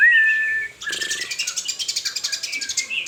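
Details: White-rumped shama song opening with a steady clear whistle, then breaking into a fast, even series of buzzy chirping notes repeated several times a second.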